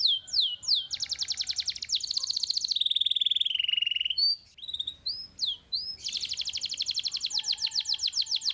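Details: Young canary singing: quick falling whistled sweeps, then a buzzy rapid trill, a long low steady rolling trill, more sliding notes and a final fast rattling trill.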